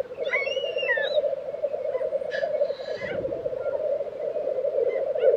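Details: Distant-sounding steady bubbling drone from black grouse lekking in Tiveden, Sweden, April 2023. Faint whistled phrases and a short chirp from other birds break in near the start.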